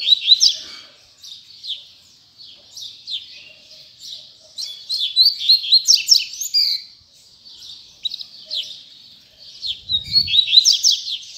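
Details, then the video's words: Double-collared seedeater, known locally as coleiro, singing during the last singing session of 2019: bursts of fast, high, chattering and twittering phrases with quick sweeps, repeated in several runs separated by short pauses. "Ultima Puxada De Coleiro 2019!!!"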